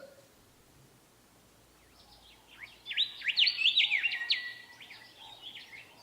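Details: A Willie wagtail singing in the Australian outback, calling for a mate and establishing territory, bursts into a quick, chattering phrase of sweet, high whistled notes for about three seconds after a quiet start.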